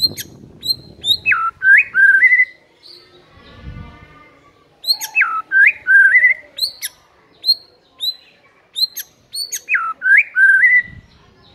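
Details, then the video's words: White-rumped shama, a lazy caged bird stirred to sing, repeats the same phrase three times: sharp high chips followed by a swooping whistle that drops and climbs, with quiet gaps and a low thump between. "PANCINGAN EMOSI MURAI BATU PEMALAS MATERI PEDES TEMBAKAN RAPET"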